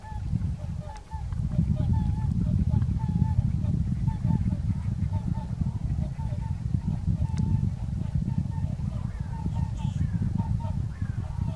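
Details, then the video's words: Whooper swans at Kuligów, 16 February 2018, dancing and calling: steady rows of brief nasal honks partly buried under loud, continuous low-pitched wind rumble. "Łabędź krzykliwy (Cygnus cygnus)"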